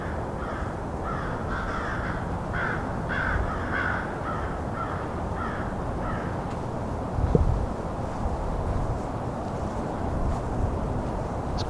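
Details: Roughly five American Crows calling back and forth along a winter trail during a Christmas Bird Count, described as having quite a conversation; a long run of short harsh caws repeated about twice a second, fading out, over a steady low rumble.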